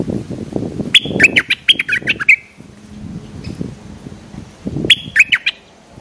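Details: Streak-eared bulbul, a large territorial bird drawn in by a lure, gives short bursts of sharp, sliding chirps, two bursts about four seconds apart, over low rustling and knocking noise.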